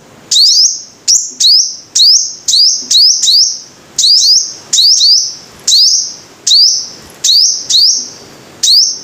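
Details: Five-coloured sunbird singing a string of high, thin notes; each opens with a sharp upward flick and settles into a short sustained, slightly buzzy tone, repeated irregularly about twice per second with brief gaps. Faint low background noise.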